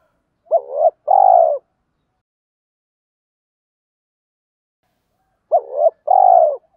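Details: Two well-separated cooing phrases from a spotted dove, male and female birds heard for training captive doves: each is a quick rising note and then a sustained mellow coo, with about four seconds of silence between.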